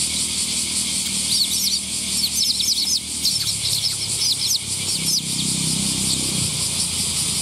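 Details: Young sparrow recorded on 5 August 2021, giving quick bursts of thin, high chirps in short runs, with a pause between runs, over loud, steady insect buzzing that fills the background.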